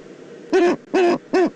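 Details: Eurasian eagle-owl in the Eifel, recorded 22 October 2014: three loud, harsh, harmonic-rich calls, each about a fifth of a second, with a steady low core and a raspy overtone, spaced roughly every 0.4 seconds.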